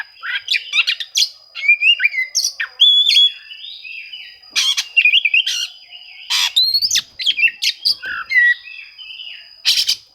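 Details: Oriental magpie-robin singing as if seeking rivals, used to coax quiet birds to sing; long varied sequence of whistles, trills, harsh squawky notes and clicks in irregular bursts, with a constant high background tone.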